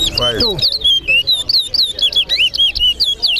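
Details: Competition singing by a towa towa, chestnut-bellied seed finch, in Guyana, east side against west side: a brisk string of clear, high whistled notes sliding up and down, with a short burst of human speech at the start.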